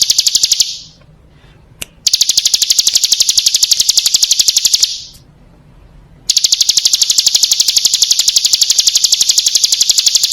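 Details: Female bar-winged prinia calling the male, played as a lure to draw other birds into singing: long, rapid, high chattering series of sharp notes, broken by two silent pauses of about one to two seconds.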